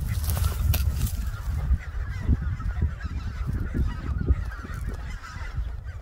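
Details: Greater white-fronted geese on their wintering grounds on the Cheorwon plain, central Korea: many honking calls overlapping beneath heavy, gusting low wind rumble.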